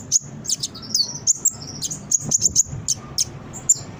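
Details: Brown-throated sunbird singing, a recording meant to lure and train birds into responding; sharp high chips and brief thin whistles tumbling quickly in uneven bursts.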